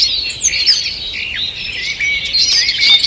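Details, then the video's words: Morning birdsong in a forest on 2 June 2023: several birds overlapping in rapid high chirps and thin sliding whistles, with a clear rising whistle near the end. "Утреннее пение птиц"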